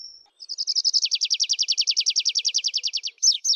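A tree pipit sings a thin high note, then a fast dry trill of about nine down-slurred notes a second, ending in louder drawn-out descending notes.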